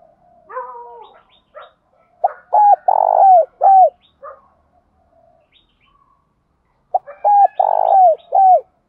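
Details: Spotted dove, male and female, giving calling, urging and soft coo phrases used to stir male birds in training: two deep phrases, each a short note, a rolling buzzy coo and a falling final hoot, separated by soft faint twittering.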